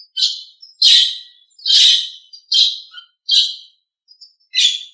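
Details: Nias hill myna in a training recording for other birds: six loud, harsh, rasping bursts, each roughly half a second long, repeated at uneven intervals of under a second with silence between.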